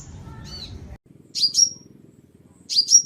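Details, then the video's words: Sunbird heard on a clean lure recording: two-part high chirps, a buzzy note then a short pure whistle, given in two bursts with a soft faint chirp at the start. "Tiếng Chim Hút Mật 7 Màu || Hút Mật Xác Pháo"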